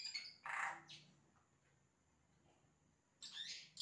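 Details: A yellow-rumped cacique sings imitations: a few high chirps, one loud harsh rasping note, then a long near-silent gap before another dense burst of squeaky notes.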